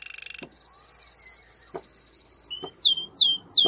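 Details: Canary song to stimulate a female to mate: a long, steady, very fast high trill held for two seconds, followed by a few sharp downward-sweeping whistled notes, with faint clicks between phrases.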